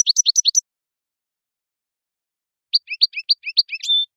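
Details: Algerian European goldfinch (meknin) in khelwi-style song, 2018: a quick burst of high, twittering notes, then a pause of about two seconds, then another rapid twittering phrase that closes on a steady, thin, held whistle.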